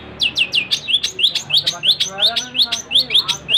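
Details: Fast, steady long-tailed shrike song made of high, sharply falling chirps repeated about three times a second, with faint low hum behind.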